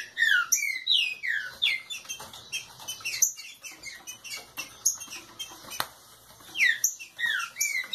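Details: Root-type Green-winged saltator singing aggressively while warming up: loud falling whistled notes in quick runs at the start and near seven seconds, with scattered sharp clicks and chirps between phrases.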